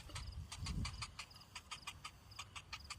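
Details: Hungry cinnamon bittern chick waiting in vain for its parent to bring food; quick irregular series of sharp, dry clicking ticks with brief thin high notes between them, plus a short low rumble near the start.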